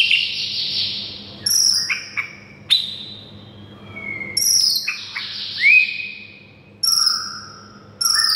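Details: White-rumped shama song used to train a silent bird: harsh buzzy high bursts mixed with sliding whistles and sharp sudden notes, coming in separate loud bursts every one to two seconds.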